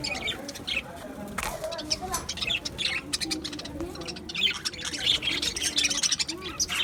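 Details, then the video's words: Budgie colony in an aviary, 11 July 2025: dense, overlapping high warbles and chirps from many birds, with one sharp, loud note early on. "Budgies Chirping sounds"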